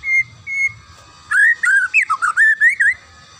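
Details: Two short, steady, flat whistles, then a lively phrase of about ten quick, rising and falling whistled notes. The magpie-robin song is meant for training young birds to sing.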